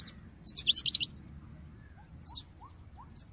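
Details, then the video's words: European goldfinch call-song from 2022: a dense, tinkling twitter burst, a pause with three soft rising whistles, then a few more sharp high chirps. "Top chant d'appel chardonneret pour motiver vos oiseaux"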